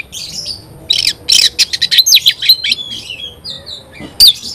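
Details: An Oriental magpie-robin sings a harsh, rapid sequence of chattering and scratchy notes. Long sliding whistles follow, and a sharp loud note comes near the end.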